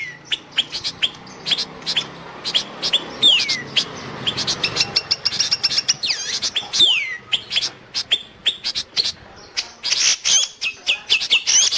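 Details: Long-tailed shrike, its song suited for training pet birds or luring wild ones; rhythmic sharp chips and twittering with occasional sweeping whistles over a hissy background.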